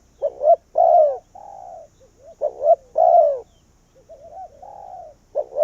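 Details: Spotted dove serving as a decoy to call wild doves, coos in phrases of two quick notes and a long descending coo, with softer flat coos and pauses between.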